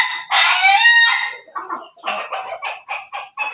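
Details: Crowing from backyard chickens bred by crossing Pelung, Bangkok and Ketawa breeds. A loud drawn-out crow lasts under a second and is followed by a string of short, rhythmic clucking notes.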